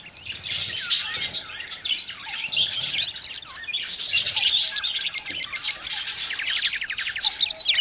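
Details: Budgerigars, pet birds, singing: a dense, continuous chatter of high chirps, squeaks and rapid clicking trills, with bursts of fast repeated notes near the end.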